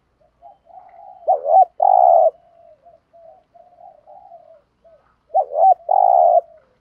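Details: Spotted doves, male and female, giving a 'gù thúc' lure call used to stir up doves during training: two loud, rich cooing phrases, each a short bent note then a long steady hoot, with soft low murmuring coos between them.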